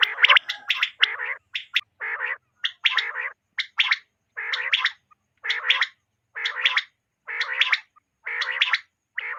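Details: Night-time hunting lure call of quail: loud harsh gargling notes in tight doublets and triplets, repeated roughly once a second without pause.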